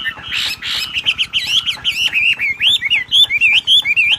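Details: Wambi bird singing in its ngebrem style, constantly and energetically: a fast stream of high, bouncy whistled notes that twist up and down, over a steady rapid ticking pulse in the background.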